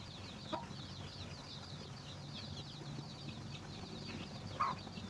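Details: Chickens finding food for their young: many rapid, high, slurred peeps overlap continuously, with two brief, louder cluck notes near the start and end over a low rumbling background.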